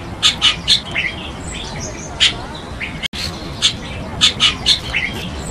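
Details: Chestnut-tailed Starling (Sturnia malabarica), an introduced bird in Taiwan, gives short, harsh, high chirps in loose bursts of two to four, with a few lower slurred notes between, over a faint hiss.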